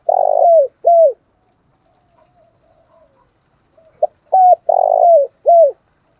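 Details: Spotted dove giving cu gáy song in the giọng thổ pha đồng style: two deep cooing phrases a few seconds apart, each a full throaty coo followed by a shorter, down-slurred closing note, with soft faint murmurs in the gap.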